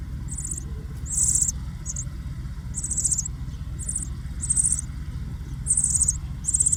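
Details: Meadow bunting nestlings in a ground nest give very high, thin, hissing begging bursts in quick clusters about every second as the parent arrives with food, gaping wide, over a steady low rumble of wind.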